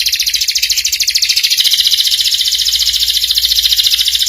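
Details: Canary singing a ngeriwik master song for young birds to learn: one continuous very fast high trill, pulsing about three to four times per second, with a little faint background noise.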